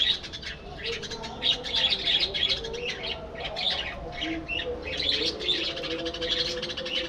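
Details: Captive budgerigar flock in a breeding colony aviary, many birds chattering at once: dense, scratchy chirps and warbles overlapping continuously, with a faint steady low hum underneath.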